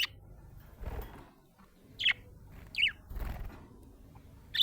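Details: Happy budgerigar chirping: short bright descending chirps at about 2 and 2.8 seconds and a final one at the end, separated by soft rustling and quiet room noise.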